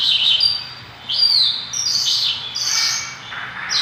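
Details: Mongolian lark in energetic (gacor) song, giving clear high whistles, one long rising-then-falling note, and a few scratchy trills across a few seconds.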